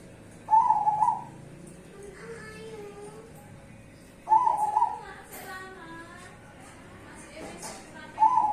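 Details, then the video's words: Zebra dove duet of cemani and Bangkok birds: bubbling coo phrases repeated roughly every four seconds, with faint voices or music between them. "duet perkutut cemani dan Bangkok"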